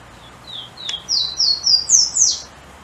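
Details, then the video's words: Pula-pula, the golden-crowned warbler, a restless bird that keeps hopping: a thin high phrase of short whistled notes, rising step by step in pitch and growing louder, with a faint hiss behind. "Canto do Pássaro Pula Pula"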